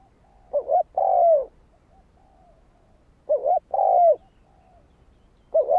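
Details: Lure song of a spotted dove used to attract wild doves: deep phrases of a quavering double coo then a drawn-out falling coo, repeated about every three seconds, with soft fainter coos in the pauses.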